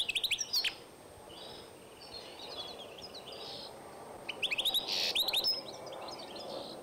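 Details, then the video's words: European goldfinch x canary hybrid singing, 2012: two short bursts of high, quick twittering notes, one at the start and one after a four-second pause, over a faint low background hum. "2012 European goldfinch X Canary"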